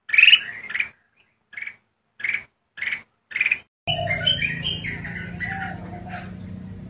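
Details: Red-whiskered bulbul giving a short, bright warbled phrase, then a string of five clipped chirps spaced about half a second apart, followed by a burst of rustling, broadband noise with further bird notes.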